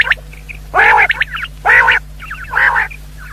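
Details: Common quail, described as a female, in a recording used as a hunting lure. Three loud, nasal, harmonic bursts about 0.8 seconds apart, mixed with thin, high, chirpy notes. A steady low hum runs underneath.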